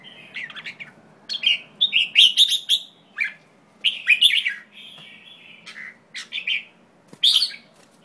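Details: Chattering bursts from a white-tailed jambul: clusters of rapid, harsh, slightly buzzy chirps in quick succession, separated by short pauses, with a few sharp clicks between phrases.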